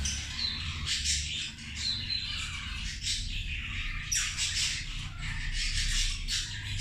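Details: A group of zebra finches eating, giving harsh, nasal squawks that run into one another in steady bursts, backed by constant low-pitched background noise.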